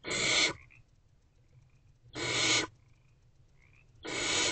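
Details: Three long, harsh snoring hisses, about two seconds apart, with faint short chirps in the gaps, from hungry barn owl owlets in a nest box waiting for their mother on the evening of 3 March 2024.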